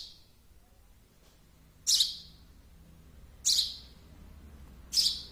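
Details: Baby sparrow repeating a piercing, buzzy chirp every one and a half seconds, four calls over a low steady hum.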